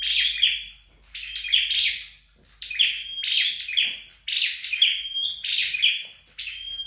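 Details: Flowerpecker being trained at home, singing repeated bursts of sharp, buzzy chirps mixed with thin high whistled notes, phrases coming about once a second with short pauses, in a quiet indoor setting.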